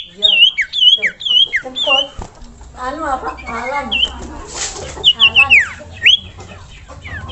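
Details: Common iora, locally sirtu or cipoh, singing a masteran training song: varied clear whistled notes, short downslurs and wavering phrases, interspersed with buzzy chattering bursts and a brief noisy rasp midway.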